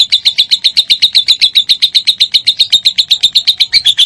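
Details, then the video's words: Lovebird song serving as a tutor track to make other lovebirds sing: an evenly paced stream of sharp, bright chirps, close to four per second, holding a steady pitch. "MASTERAN SANGAT AMPUH BURUNG LOVEBIRD MINOR"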